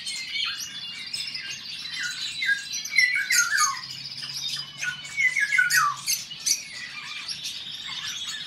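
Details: Male Eurasian golden orioles in a song duel: loud downslurred whistles drop in pitch near the third and sixth seconds, with harsh squawky notes, over a dense chorus of other birds' high twittering song.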